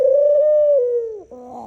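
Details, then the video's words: A dove gives a drawn-out, smooth low coo that slowly sinks in pitch, followed by a brief harsher, buzzy note. "dove making sounds"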